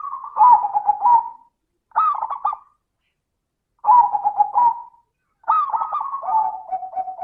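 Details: A zebra dove sings repeated short trilled coo phrases in the 'crystal' voice style, meant to encourage lazy doves to sing. There are four bursts with gaps, and the last ends in a drawn-out level coo.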